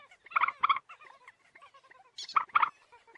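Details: Common moorhen (Gallinula chloropus) giving harsh, bubbling croaks in two short bursts, each a quick run of throaty notes, with softer clucks between.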